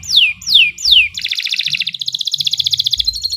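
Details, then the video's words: Canary singing in a long, continuous performance for song training: three loud falling whistled sweeps, then a rapid buzzy trill of fast repeated notes that keeps going to the end. "Kicau Burung Kenari 107 II GACOR PANJANG Cocok untuk Masteran"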